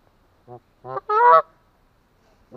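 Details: Atlantic Canada goose honking deeply: a short soft honk, then two louder ones, the last long and ringing, followed by a pause and one more honk beginning.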